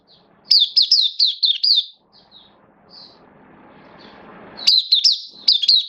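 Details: Caged hobby oriental white-eye, 11 September 2022, form dipped a little, singing its buka (opening) song: a quick series of bright high chirps, a quieter gap with soft background hiss, then another energetic chirp burst.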